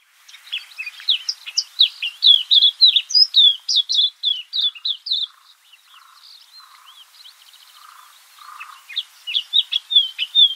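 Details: A Cape white-eye in a garden near Kruger gives a fast, high twittering run of slurred chips and warbles, pausing for a few soft lower notes before the chatter resumes.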